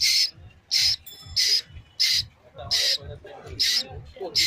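A young Asian koel gives harsh, hissing screeches, about three every two seconds, with faint low thumps between them.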